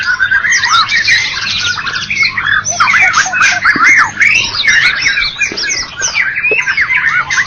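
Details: Competition-winning white-rumped shama from Medan and Java delivering a loud, dense song of rapid varied whistles, trills and squeaky slurred notes that pour out continuously with barely a break.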